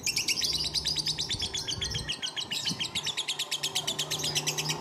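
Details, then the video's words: Lovebird held in the hand, giving a continuous stream of high, rapidly repeated buzzy chirps in an even rattling rhythm, with faint low humming in the background. "NGUDANG LOVEBIRD SAMBIL DI GENDONG"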